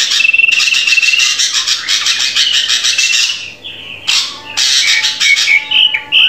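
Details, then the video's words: Drongo song meant to train captive birds to sing readily: long harsh, rasping chatter, another noisy burst, then a few clear sliding whistled notes. "Masteran Burung Srigunting Agar Cepat Gacor"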